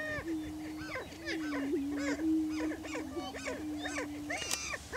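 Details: Greater prairie chickens on a Kansas lek in Washington County, displaying for breeding territory. A dense chorus of quick arched cackles and whoops, roughly three a second, plays over a steady low moaning hum.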